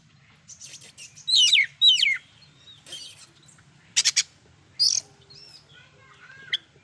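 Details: Oriental magpie-robin giving loud song with fill-in phrases said to make other magpie-robins agitated; a pair of sharp downward-sweeping whistles, then scattered clicks, buzzy notes and soft warbles.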